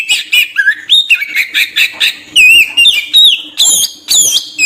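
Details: Oriental magpie-robin lure song: loud, varied whistled and buzzy phrases delivered in quick bursts, with sweeping notes and harsh chatters alternating throughout.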